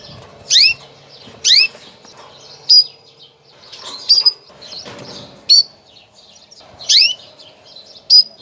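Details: A female canary calls to prepare males for breeding, giving about eight clear, high chirps that sweep down, spaced roughly one second apart, with faint twittering and light rustling between.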